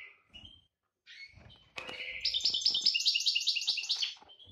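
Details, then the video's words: Breeding-season European goldfinch, 2018: after a few soft chips, a bright, rapid twittering song of fast trills and tinkling notes that runs unbroken for over two seconds. "Chardonneret GB chaleur saison 2018"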